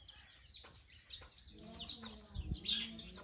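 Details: A parrot enjoying a bath gives quick squawky chirps that sweep down then up, several each second, growing louder toward the end over a low rumbling background.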